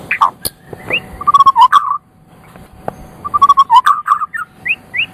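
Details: White-rumped shama from Medan, a champion bird, delivering rapid clusters of rich mid-pitched whistles and clicks, pausing about a second, then resuming with a bubbling run and two rising upslurred notes.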